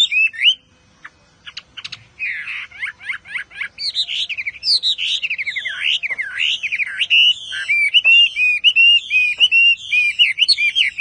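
Chinese Hwamei singing a loud, rich stream of varied whistles, slurred rising and falling notes and rapid trills, delivered almost without pause.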